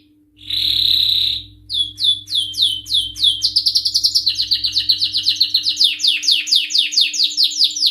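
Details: Excited male canary in full song, opening with a sustained whistled note followed by quick repeated downward-sweeping chirps that speed up into a dense rattling trill; a faint steady low hum runs beneath.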